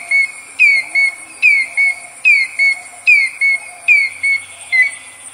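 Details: African grey hornbill calling close up, giving plaintive, piping whistles that fall slightly in pitch, about one per second, answered by another in the distance, with a vinaceous dove calling, over a steady high insect hiss.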